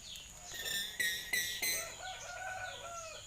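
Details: Common hill myna copying a human cough: three sharp, breathy, harsh bursts close together, framed by high whistled, speech-like tones.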